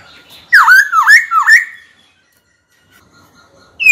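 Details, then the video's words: White-cheeked laughingthrush, a trained bird, singing to provoke a rival into a singing duel. Three loud whistled notes, each dipping then sweeping upward, come about half a second apart, followed by a pause before a new phrase begins. "Khiếu hót sắc nét, rõ ràng, kích bổi chuẩn, bổi nhanh mở mỏ đấu thôi!"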